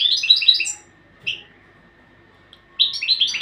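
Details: Training song of a European goldfinch. A quick, liquid run of chirped twitters opens the recording, followed by a lone short note and a quiet pause. A final lively burst of twittering ends it.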